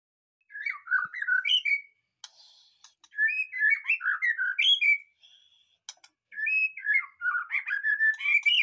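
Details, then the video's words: White-rumped shama, a caged bird just taken from a breeding cage, singing at once: rapid bursts of varied whistled and chattering notes with high squeaky accents, in three phrases separated by short pauses. "di cabut dari kandang ternak langsung gacor"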